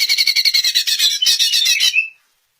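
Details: Song of a greater green leafbird, played to get other leafbirds to reply. A fast burst of scratchy, buzzy notes, roughly four each second, runs for two seconds, then fades into silence.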